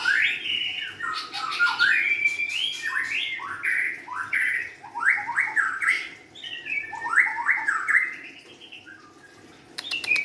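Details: Young forest-origin White-rumped shama singing a fast, varied run of swooping whistled phrases, rich and fluty, with short pauses between bursts and a few clicks at the end.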